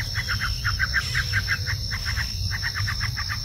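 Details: A ciblek, or bar-winged prinia, repeats quick bright chip notes in two runs separated by a short gap, steady and rhythmic, accompanied by a continuous high-pitched insect hum and dull low background noise.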